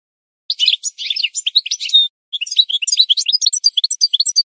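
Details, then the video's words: Singing goldfinch recorded to teach other birds: a jumble of high twitters and buzzy chirps, a brief pause, then a lighter run of rapid, tinkling notes. "The Best Singing Goldfinch"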